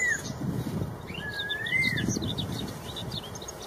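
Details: Straw-headed bulbul, the red-tailed cucak rowo, in the wild giving one long, smooth whistled phrase that glides up and curls down, with scattered high chirps and a low rumbling background.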